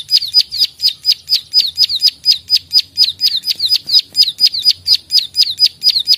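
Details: Plain prinia (prenjak sawah), lively and combative, repeating its klik-klik note: bright, high, flicking clicks, about nineteen in six seconds at a steady pace near two per second.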